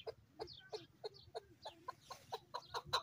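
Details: An excited male chukar gives a rapid run of harsh, clucking chuk notes, roughly three to four per second, some rising into sharper squeals, with a faint low hum behind.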